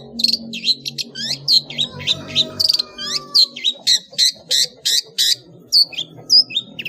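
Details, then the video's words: Long-tailed shrike ngeplong song full of varied fill phrases, a master for training cage birds: loud, varied high whistles and clipped notes given about twice a second over a low, steady background hum. "SUARA BURUNG CENDET NGEPLONG FULL ISIAN"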